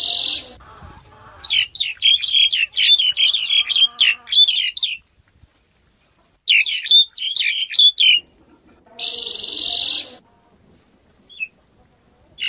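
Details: Black-collared starling singing: bursts of harsh, rasping hisses alternate with fast runs of chattering, clicking notes with short whistled peaks, in irregular phrases separated by brief pauses.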